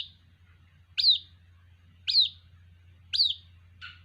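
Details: White-breasted waterhen chick calling for its mother: sharp, high, downslurred peeps spaced about a second apart, three loud notes and a fainter fourth, over a steady low hum.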